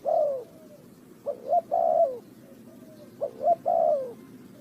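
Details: Spotted dove recorded for bird trapping, Ninh Thuận: three coo phrases spaced over four seconds, two short rising notes then a drawn-out falling coo, over a quiet background.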